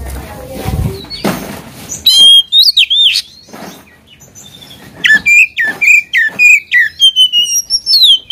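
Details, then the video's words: Oriental magpie-robin singing energetically to rile a rival. Rumbling and clatter give way to bold whistled phrases with sharp upward flicks, then a fast series of short, evenly spaced chirps. "KACER GACOR BIKIN EMOSI LAWAN,PANCINGAN KACER EMOSI BIAR NGOBRA"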